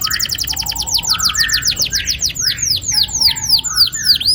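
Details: Canary's long rolling song, intended to get young canaries singing: rapid strings of high notes that slow from a tight trill into wider, swooping downward chirps, over soft lower whistled notes.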